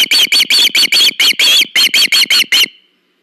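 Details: Nest-cam osprey on August 21, 2019, one bird bringing another a fish: about a dozen loud, ringing whistled chirps, a few stretched longer in the middle, fading out cleanly.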